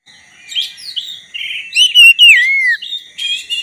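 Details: A black-breasted Oriental magpie-robin (kacer) sings a rich, fast run of varied whistles, slurs and sharp chips, rising and falling, used as a lure to make a rival magpie-robin sing; a faint steady tone hums underneath.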